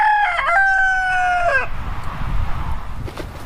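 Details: A male chicken crows from the start: a sustained, slightly falling tone that cuts off after about one and a half seconds. Low rumbling background noise follows.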